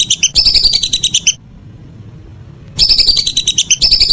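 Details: Evening whistling duck call: a burst of rapid shrill whistles, about a second and a half of near silence, then another fast whistled burst.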